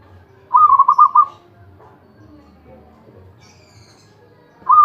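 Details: Champion zebra dove singing ecek ecek: a rapid rolling trill of mellow coo notes, a pause with faint soft background sounds, then the next trill starting.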